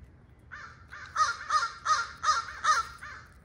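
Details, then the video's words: Young crow and her mother yelling about turf at neighbouring crows: a rapid run of six harsh, nasal caws roughly every 0.4 seconds, steady and loud, with light background hum. "Crow Cam: Girl Voices"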